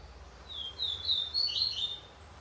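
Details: Double-collared seedeater singing; a short bright burst of high, rapid twittering notes lasting about a second, with low background hum.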